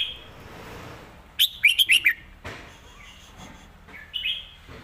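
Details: Red-whiskered bulbul, a caged songbird, singing a Thai 'master song' (pleng mae bot) with clear, emphasised phrasing: one quick burst of five or six bright, bubbly whistled notes, then after a pause a shorter, softer phrase, over a quiet background.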